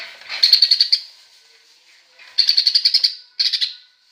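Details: Greater green leafbird imitating a sparrow, delivering short strings of quick high chirps, about six to eight per string, with pauses of roughly a second between strings.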